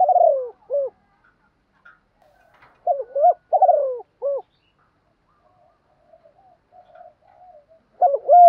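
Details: Female spotted dove calling to stimulate males to coo in reply: low, mellow coo phrases of a short note, a longer falling note and a clipped final note, repeated three times with long pauses, faint softer cooing between.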